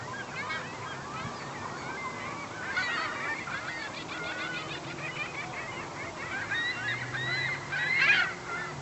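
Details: Herring gulls, a massive flock of well over a hundred gathered at a neighborhood lake; dense overlapping chorus of harsh, nasal, downslurred squeals and yelps from many birds at once, with brief louder peaks near the end.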